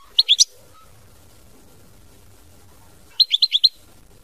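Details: European goldfinch, mama binette song style: two short bursts of high, sharp chirps, three notes then four, separated by a quiet gap of nearly three seconds.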